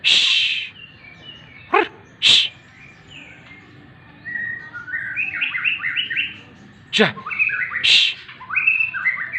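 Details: White-rumped shama singing during morning sunning: short bursts of quick, bright whistled notes stepping up and down, broken by several loud, sharp clicks and taps.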